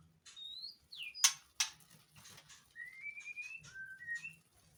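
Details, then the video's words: In mating season, a white-rumped shama in breeding condition sings at a captive breeding site: varied whistled phrases, some rising and some falling, interrupted by two loud, harsh crackling bursts, with faint low background rumble. "INTIP PENANGKARAN MURAI MUSIM KAWIN & KICAU MURAI BATU BIRAHI"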